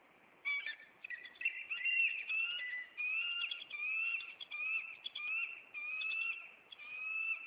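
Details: Bald eagle calls during an intruder chase at a Maine nest, April 26: loud, continuous high whistled notes with slight slides, strung one after another for several seconds.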